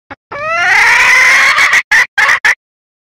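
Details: A wild junglefowl hen's call to the male, used to lure males: a short lead note, a loud, drawn, rising harmonic wail of over a second, then four quick, clipped bursts.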